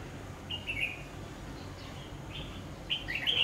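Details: Red-whiskered bulbul at a bird trap, giving brief bright chirped phrases, two near the start and a louder, more complex burst at the end, with constant low background hum.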